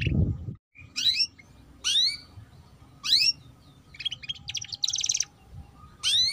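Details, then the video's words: Canary lure song for young canaries learning the 'ngeriwik' chatter. Isolated rising sweep notes repeat about once a second, with a brief buzzy trill in the middle, over a faint hum and a short low thump at the start. "Pancingan Kenari Paud Cepat Bunyi || Cocok Untuk Kenari Paud Belajar Bunyi Ngeriwik"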